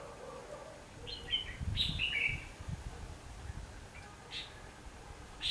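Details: Red-whiskered bulbul decoy bird singing its fighting song during trapping on 19 November 2015: a short cluster of clear warbling phrases, with low thumps and a faint background hum.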